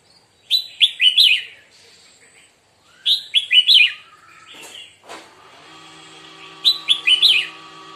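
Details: Red-whiskered bulbul in morning song practice, giving three bursts of rapid, rollicking whistled notes about every three seconds, with a steady faint hum and a brief rustle between phrases.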